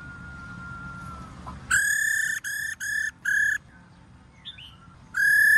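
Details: Female laughingthrush giving its 'ro' call to rouse males into singing: four harsh, buzzy, nasal bursts on one level pitch, each rich in overtones and about half a second long, then a pause and another burst. Faint thin whistles in between.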